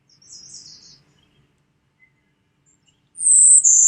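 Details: Golden-winged Warbler song, a species breeding in Michigan, southern Canada or Appalachia: very high, dry buzzes, a thin opening buzz, a pause, then a loud insect-like buzz that steps down slightly in pitch and holds.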